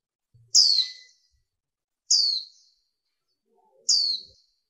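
Warbling white-eye female giving three thin, high, downslurred chirps, each about half a second long and spaced nearly two seconds apart, in a quiet setting.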